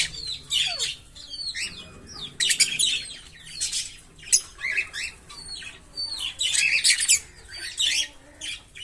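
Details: Green Fischer's lovebird pair, captive, chattering in dense harsh chirps and squeaky twitters, loud bursts coming close together throughout.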